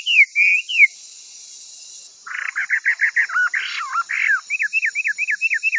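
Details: Hwamei varying its song for training kiacu: three slurred whistles, a silent gap, then fast burry stuttering notes leading into a string of crisp down-slurred whistles repeated roughly three per second.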